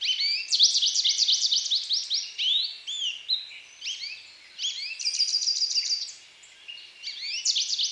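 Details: American goldfinch in steady song, pouring out a long, varied string of high twitters, swooping whistles and buzzy trills with barely a pause across the whole stretch.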